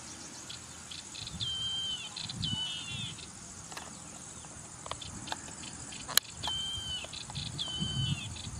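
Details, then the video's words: Yellow-eyed Babbler singing: two pairs of sustained, slightly wavering whistled phrases, each note held about half a second, with a sharp click between the pairs, against pulsing insect chirps and low background rumble. "Listen to this Yellow-eyed Babbler - what an accomplished vocalist!"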